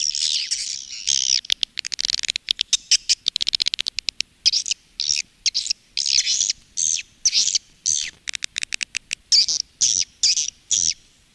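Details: Swiftlet calling and roosting sound played by swiftlet farmers in Indonesia: dense buzzy twittering, then a burst of very rapid dry clicks, followed by spaced high chirps and short trills.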